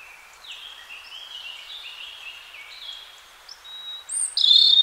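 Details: European robin, wild, singing in spring: a soft, gently wavering series of high thin notes, rising toward a louder, sharper burst of high whistles at the end.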